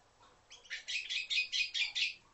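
Red-billed quelea song: a rapid, buzzy chatter of harsh, scratchy high notes, about seven bursts in under two seconds, with no other clear sounds.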